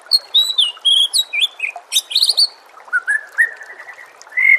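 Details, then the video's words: Loud White-rumped shama song used to train captive birds: very high piping notes and harsh rasping chatter, then a series of softer rising whistles, with a faint water background. "murai batu anda dengar suara MASTERAN burung seperti ini"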